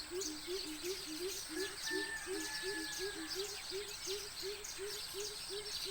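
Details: Just before sunrise by a village pond, two greater coucals (crow pheasants), one nearby and one farther off, give a long, even run of deep, hollow hoots, about three each second, over busy high chirping from other birds and insects.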